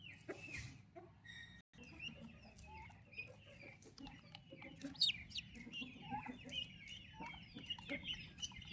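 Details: Turkey chicks with their mother peep in high, slurred chirps, sparse at first, then a brief silent break, then a denser chorus of peeps with some sharp clicks and knocks.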